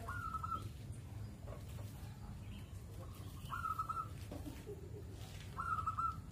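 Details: Zebra dove kept as a house guard, singing for hours on end: three clear trilled coo phrases spaced two to three seconds apart, with faint lower bird notes and a steady low background drone.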